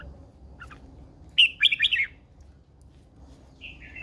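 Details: Wild-matured female red-whiskered bulbul, a cage bird, calling to spur males on: a bright, rapid warbled burst of tumbling whistled notes lasting under a second, framed by a few short chirps and a soft low hum.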